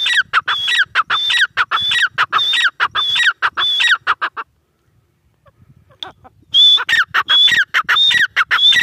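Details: Gray francolin (teetar) voice: long runs of loud, piercing, rhythmic phrases with high whistles and raspy falling notes, interrupted by a quiet gap of about two seconds mid-way.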